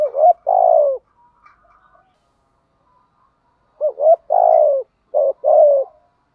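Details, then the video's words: Spotted dove giving the gù thúc urging coo, used to stimulate and lure wild males: a short note, a rising hoot and a long falling coo, then a pause and two more complete phrases of clipped notes and drawn-out coos. "chim cu gáy gù thúc"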